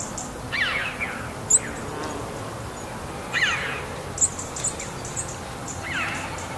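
A red-billed chough gives ringing, downward-sweeping calls, roughly one every two to three seconds, with a few sharp high clicks in between.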